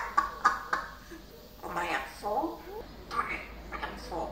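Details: Pet parrot indoors with a growing vocabulary, producing speech-like syllables: a few sharp clicks, then harmonic, voice-like phrases rising and falling in bursts, in a small quiet room.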